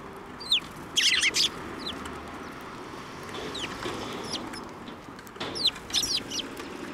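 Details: Flock of sparrows flying in for food at a Tenmangu shrine, April 19, 2024; clustered bright chirping bursts near the start and end, quieter scattered tweets between, over a steady background murmur.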